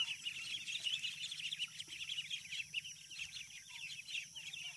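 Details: A group of farm ducklings keeps up a constant, crowded twittering of shrill peeps, repeated rapidly and overlapping throughout, over a soft low background hum.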